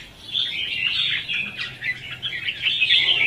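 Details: Red-whiskered bulbul competitive song used to lure birds into traps: a fast, rolling chatter of high chirps and warbles, roughly three to four notes a second, fairly steady in loudness.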